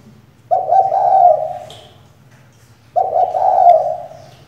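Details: A female spotted dove kept as a decoy to make males call utters two long, low, wavering coos about two and a half seconds apart, each swelling then fading, over a constant low droning hum.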